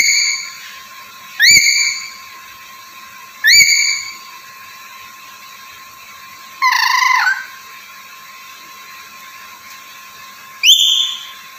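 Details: Black-capped lory, kept as a chatty talking bird, repeating short rising harmonic squawks about every two seconds, then a harsher, noisier burst and one final upslurred call, with a steady hum behind.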